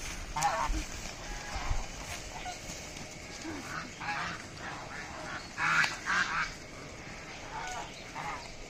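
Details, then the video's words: Deshi raj hash ducks giving scattered nasal honks and quacks, a loud double burst midway, with gaps of low background noise and faint clicks. "beautiful raj hash - amazing raj hash - duck videos"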